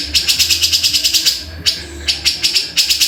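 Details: Grey-cheeked bulbul delivering quick runs of high, scratchy chip notes, then short pauses and isolated sharp notes before the rattle resumes, over a low background hum.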